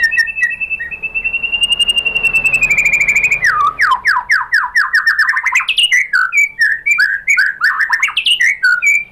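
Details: White-rumped shama lure song used to provoke shamas into singing back: a long, steady whistled note, followed by a rapid descending series and then varied chattering, slurred phrases.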